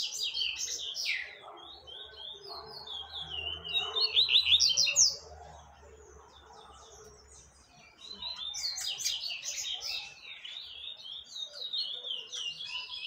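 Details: Double-collared seedeater singing to teach young birds; rapid high twittering phrases of slurred, down-sweeping notes, in two bursts separated by a quieter gap of about three seconds, with a low hum underneath.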